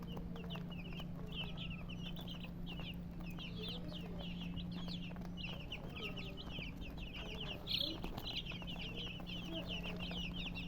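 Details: Continuous high-pitched chirping from colored chickens, with quick bursts of short peeps following one another almost without pause. A brief louder chirp stands out near the end. A constant low hum runs throughout.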